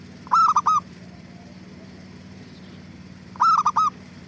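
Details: Zebra dove (perkutut) song used as a lure to provoke other doves into answering: two short bursts of three clipped, hooked cooing notes, about three seconds apart, over a steady low hum.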